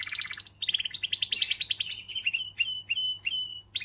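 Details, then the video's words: Canary delivering a forceful song to motivate females: quick rattling trills rising in pitch, followed by a run of bright, sharp double whistles repeated about three times a second. "تغريدة قوية من الكناري لتحفيز .. The strongest tweet from the canary to motivate"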